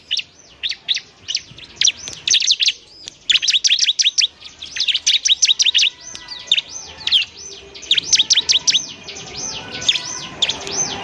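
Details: Bar-winged prinia, a semi-fluent singer used as tutor material so other birds start singing quickly; a busy stream of high, sharp chirps and downward-sweeping notes in bursts, with short pauses, over faint background hiss.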